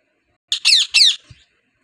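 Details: Native rose-ringed parakeet, known as a talking bird, producing three quick, loud, grating squawks in a rapid burst, each harsh and rich in overtones, followed by a faint low knock.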